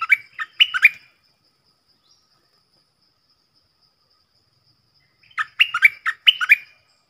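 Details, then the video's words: Stripe-throated bulbul decoy bird singing a doubled song style, played to train young birds and lure wild ones: a short burst of bubbly, warbled notes that rise and fall, then a long silence and a second similar phrase. "เสียงนกดอกแตงEp.44 นกต่อเจ้าเพชร|เสียงดังฟังชัด เปิดเพลงเบิ้ล เพลงเพราะน่าฟัง merbah lekir"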